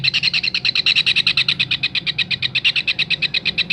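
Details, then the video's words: Kingfisher tutor recording for songbirds: quick, chattering high notes in a continuous rattle, slightly slowing toward the end, with faint low rumble in the background. "Tengkek raja udang masteran"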